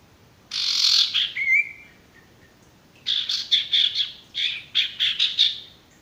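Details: Male sirtu, the Ashy Tailorbird, sung for tutoring raw or stressed birds: a loud buzzy burst ending in a thin whistle, a pause, then two runs of rhythmic harsh chattering notes about five per second.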